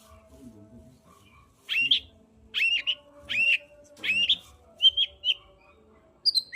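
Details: Long-tailed shrike song aimed at stimulating a quiet bird to sing: repeated harsh buzzy notes with downward tails about every 0.7 seconds, followed by short clear whistles, over a soft low hum.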